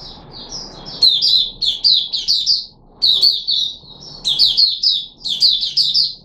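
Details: Caged red-whiskered bulbul (Puteh Raja) on 13 April 2021, given special fruit juice, one mealworm and a health booster: rapid, bright, slurred whistled phrases repeated almost continuously, each run of several quick rising-and-falling notes.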